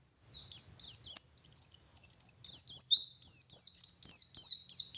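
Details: Oriental white-eye of the local West Javan Garut type, singing in the wild-style 'ngalas' manner: high, rapid chirps and downslurred whistles run in a continuous, lively chatter, roughly four notes a second, with no other sounds.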